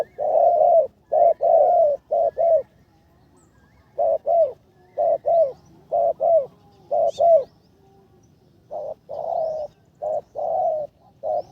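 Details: Spotted dove in decoy training at its third session, its behaviour much improved, cooing loudly in low, mellow bursts grouped into phrases of two to four notes, each phrase about a second apart with short pauses between, over a quiet background.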